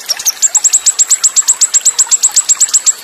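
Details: Olive-backed sunbird (konin) in a full song-training recording with cililin-style bursts, fast rolls and tight pauses, with water sounds: a rapid run of thin, very high notes, about two to three per second.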